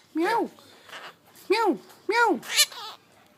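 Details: Pet Indian ringneck imitating a cat: three clear arched meows with rising-then-falling pitch, spaced about a second apart, ending in a harsh burst, indoors.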